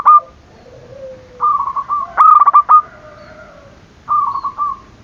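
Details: Zebra dove calling briskly, used to provoke rival doves into calling; mid-pitched bubbling trilled coos, each phrase under a second, three phrases with gaps, plus a lower, fainter sliding whistle beneath.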